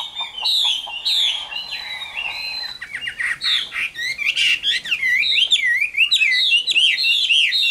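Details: Caged adult wild-caught Chinese hwamei, described as 'Tam Hoàng' with a good voice, kept by a bird trader in Vietnam. It sings a rich, varied run of loud whistled phrases. Slurred notes sweep up and down, and later come as rapid rolling loops.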